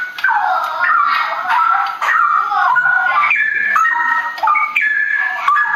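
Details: Forest straw-headed bulbul (cucak rawa) giving a continuous rolling 'ropel' song. Fluid, mellow warbles tumble and loop almost without a break, with quick rising and falling turns throughout.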